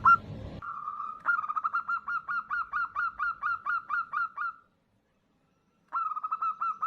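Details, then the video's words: Female zebra dove calling for a male, used as a lure. After a brief noisy start comes a long, steady series of fast, repeated bubbling coos, then silence, and a fresh run starts near the end. "Suara Perkutut Betina Memanggil jantan"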